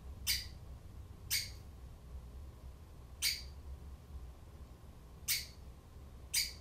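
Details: Female Java sparrow uttering harsh, broadband squawky notes, one short burst about every second, five bursts in all, with low background rumble between them.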